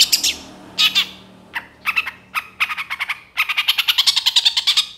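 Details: Young long-tailed shrike in moult, recorded as a lure: harsh, rasping squawks in short bursts, building into a fast, steady chatter of grating notes.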